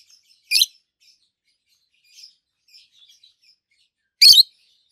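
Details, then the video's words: Two adult green peach-faced lovebirds, red-faced and yellowish white-faced, chirping; two loud harsh chirps nearly four seconds apart with soft scattered twitters in between. "Lovebirds Sounds - Peach-faced Lovebird"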